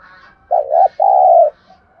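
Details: Spotted dove 'thúc gù' coo for provoking wild birds and training decoys: a mellow, low double note rising slightly, a short pause, then one smooth, prolonged coo with a soft ending.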